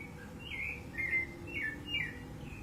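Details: Wild rufous-bellied thrush, 15 November 2020, giving a short run of clear warbled whistles, three or four slurred falling phrases in under three seconds, above a low rumbling background.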